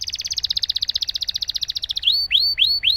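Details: Domestic canary in full song, a long roll meant to stimulate silent canaries into singing: a rapid, even trill of about 36 notes over two seconds, then a few loud upward-sweeping whistled slurs repeated about every quarter second.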